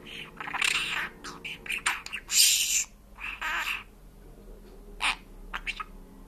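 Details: Pet parrot imitating Georgian speech: a string of breathy, word-like syllables and hissy bursts in varied rhythm, some loud and harsh, with short pauses, indoors with a quiet background hum.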